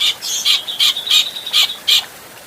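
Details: Adult grey-cheeked bulbul in a clear training recording for other birds, giving five loud, harsh, emphatic notes joined by a thin steady whistled tone, then falling silent.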